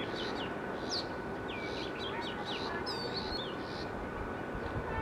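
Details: An Oriental magpie-robin (Copsychus saularis) sings a melodious, varied string of clear whistles, slurred notes and quick trills, over a steady hum and broad background noise.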